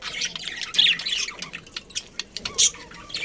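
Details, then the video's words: Budgerigars in a breeding colony making quick, high, squeaky chirps and squawks in uneven bursts, with several birds calling together. "Cute Budgies Chirping Sounds"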